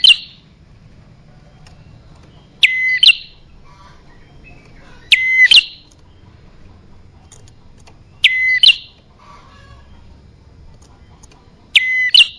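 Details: Sparse bar-winged prinia lure notes for attracting males and females: single loud two-part calls, a quick drop to a level whistle then an upward flick, spaced about every three seconds over a quiet background.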